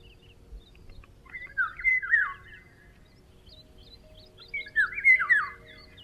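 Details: A Eurasian golden oriole in Ukraine in summer, high in leafy treetops, sings two short, fluty, liquid phrases about three seconds apart, with a faint steady hum underneath.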